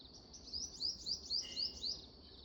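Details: Sparrow chirping: a run of six bright, high upslurred chirps at an even pace of roughly three per second, over a soft steady background hiss.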